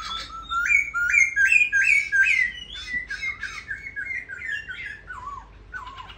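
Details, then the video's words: Caged black laughingthrush singing: loud whistled phrases, each a rising note that steps up, repeated in a quick series, then lower looping warbles that drift downward, with no other clear sounds. "Khướu mun hót hay múa đẹp"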